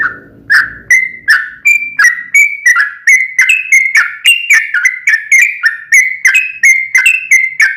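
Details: Gacor sooty-headed bulbul in long 'ropel panjang' song, meant to trigger a reply from another bird. Low rumbling noise fades at the start, then sharp-edged whistled notes follow quickly, over three per second, pitch wavering between higher and lower phrases.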